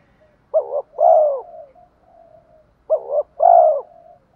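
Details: Decoy spotted dove calling to attract and challenge rival males: a short double coo followed by a drawn-out mellow coo, the phrase given twice about two and a half seconds apart, with a soft trailing hum between.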